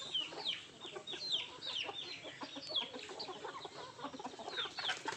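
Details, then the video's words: Feeding country chickens give scattered high peeps over a busy background of pecking, scratching clicks and hiss. "Nattu kozhi Food eating and sound effect"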